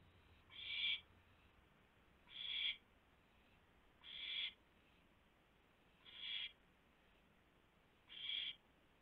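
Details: Nest owl during a pre-dawn food delivery, 4:09 AM, 4 May 2016; five raspy, breathy hisses of similar length, spaced roughly every two seconds over a quiet background.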